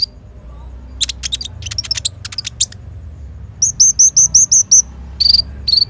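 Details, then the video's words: Sunbird singing vigorously, meant to coax and tutor other birds: a scatter of quick high ticking notes, then seven evenly spaced high whistled notes, each with a hooked downward flick, followed by two short chirps. "KONIN GACOR FULL ISIAN TEMBAKAN || COCOK UNTUK PANCINGAN & MASTERAN KOLIBRI NINJA BAHAN"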